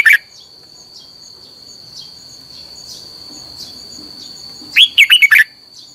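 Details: Red-whiskered bulbul song as a lure for training birds. A clipped note at the start is followed by quiet, then one lively phrase of five liquid warbling notes near the end, all over a constant high-pitched whine.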